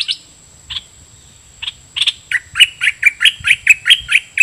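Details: A caged decoy red-whiskered bulbul sings toward wild birds: a few scattered sharp notes, then a quickening series of clear, down-slurred chirps repeated several times a second.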